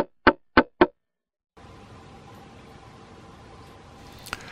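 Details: Male Red-bellied Woodpecker in mid-March courtship at a backyard nest box, after calling from the entrance, ducks inside and taps loudly on the wood: three sharp taps in under a second, then quiet hum and one faint click.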